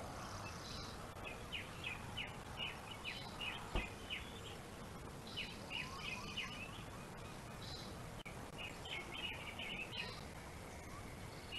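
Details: Bald eagles at their Gabriola island nest on webcam, one guarding prey under mantled wings while another waits for a chance to steal; repeated volleys of sharp, high chittering notes with a few lower slurred notes, amid constant hiss.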